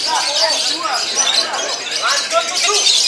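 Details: Songbird-contest lovebird singing in the ngekek style while headbanging, known for long-lasting delivery. A dense, continuous, high chattering trill runs with rapid squeaky notes and small upward and downward sweeps throughout.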